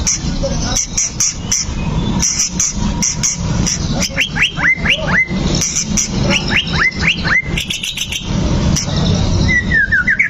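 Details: White-rumped shama song used to rouse a bird into fighting: sharp ticking clicks, then a rapid series of rising whistled upslurs, closing with a wavering falling whistle, over constant low background noise.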